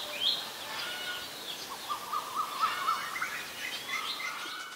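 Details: Common myna in Ubon Ratchathani, Thailand, on May 4, 2022, recorded with a Nikon P1000. It gives a rapid series of short, varied notes, some sharp and whistled, some chattering, repeated several times a second. Faint background hiss.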